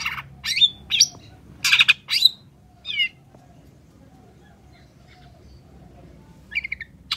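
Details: Long-tailed shrike singing gacor, used to provoke silent shrikes into song: loud, grating squawks and chatter for three seconds, a long silence, then a short burst of buzzy notes at the end.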